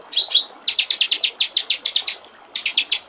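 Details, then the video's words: White-rumped shama master song (murai batu, full isian): two quick high notes, then a burst of about twelve rapid clipped notes, a pause, and a final short series of four. "masteran murai batu/ suara jernih gericik air"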